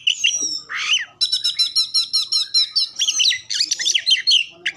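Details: Oriental magpie-robin song played as a lure to get other caged songbirds singing: loud, high, varied phrases, with a rapid run of about a dozen repeated sharp whistled notes, then scratchy, squawky chattering and quick twittering flourishes, in a small indoor room.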